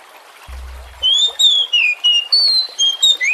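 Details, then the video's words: Whistled lure song of an Oriental magpie-robin, used to prompt other birds to sing: a brief low thump, then seven or eight clear, sliding whistles in a steady run, ending on a rising note. "Pancingan kacer Jenis APAPUN agar Lekas GACOR dan NGEPLONG"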